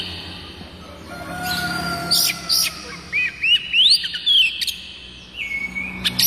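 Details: Village-type Oriental magpie-robin song, played to prompt other magpie-robins to sing. Bright rising whistles and upslurred notes mix with short harsh chips. A faint lower tone is heard early on, over steady background hum.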